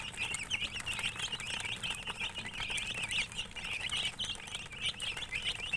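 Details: Young chickens cheep in a lively chorus, with short, slightly upslurred high notes repeated rapidly and overlapping, plus faint low background noise.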